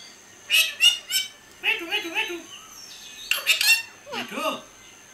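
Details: Kashmir parrots, raw and talking while eating, give short harsh squawks and nasal chattering bursts in clusters, some falling and wavering, with a quiet steady hiss in the background.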